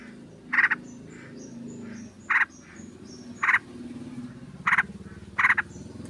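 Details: Sooty-headed bulbul lure recording of a group of birds, a female calling to a male; five harsh, buzzy chattering bursts at uneven intervals over about six seconds, with faint thin high whistles and a low hum behind.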